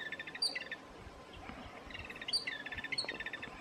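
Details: Repeated chattering of a jungle babbler, two bursts of rapid harsh notes separated by a short pause, with loud high squeaky chirps from another bird and soft background clicking.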